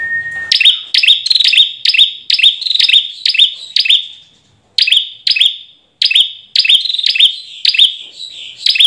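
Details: Ashy tailorbird (Orthotomus ruficeps), a recording used as a lure and as master song for training birds: loud, sharp, clicky notes that drop in pitch, repeated about twice a second in steady runs with brief pauses, after a short steady whistle-like tone at the start.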